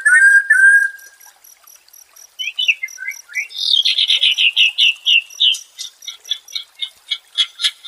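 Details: Shama song meant to bring stressed birds back to fighting form: two clear whistles, a pause, scattered slurred notes, then a rapid series of loud, sharp chirps slowing into spaced accents.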